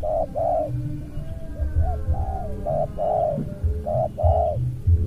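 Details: Spotted dove facing a rival lure bird, cooing in a rapid, close-set style: clear mid-pitched coos in short pairs and longer drawn notes, repeated steadily over low rumbling background noise.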